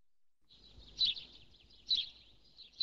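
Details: House sparrow giving three short chirps about a second apart, bright and mid-high in pitch, over a faint low rumble of background noise.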